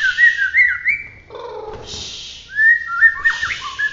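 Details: Murai batu, a white-rumped shama of the Bahorok line from Medan, in gacor roll tembak form: quick wavering whistles and twisting slurred notes, broken by a harsh buzzy chatter and hissing bursts.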